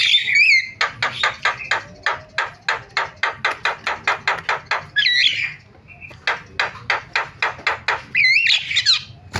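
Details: Starling used to lure other starlings into calling: long runs of sharp dry clicks at a steady pace, broken by short twisting whistled phrases at the start, middle and end.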